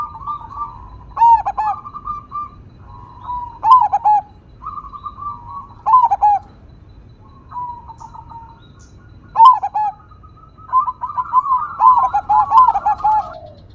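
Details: Zebra dove of the crossing type, in full voice with a big sound in the vokal engkel style. It gives a series of mellow rolling, stuttering coo phrases with short pauses, ending in a longer tumbling flourish. The background is quiet.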